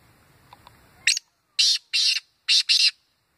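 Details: Black francolin calling in a hunting context: after faint background murmur and one short rasping note, four loud, harsh notes follow in two close pairs, coarse and buzzy in tone.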